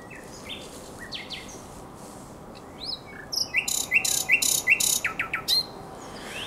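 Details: A common nightingale sings after dark beside the Żerań Canal in April 2022: scattered soft notes at first, then a loud series of about a dozen rapid, harsh, evenly repeated pulses.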